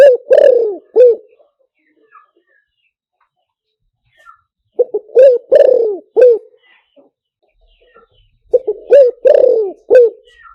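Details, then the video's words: Spotted dove coo phrases for luring over a loudspeaker. Three matching loud phrases, each about a second long, with two short notes followed by two or three booming, slightly falling coos. Roughly three-second silences between phrases. "เสียงต่อนกเขาใหญ่หมานๆ, เสียงนกเขาใหญ่ใช้ต่อลำโพงหมานๆเสียงชัดHD"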